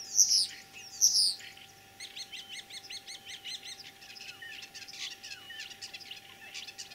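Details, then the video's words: Common starling singing in spring, 9 April 2023, Kalyazin district, Tver region, Russia, mimicking other birds: two loud high whistled slurs, then a rapid series of buzzy, clicking, rattling notes, with a steady low hum behind. "Кого передразнил скворец?.."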